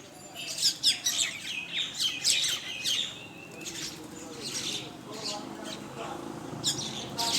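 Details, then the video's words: Common mynas in a flock at a morning feed in Bangladesh give loud rasping chirps and squeaks in clustered bursts, then softer scattered calls and a few low notes. "শালিক পাখির ঝাঁক"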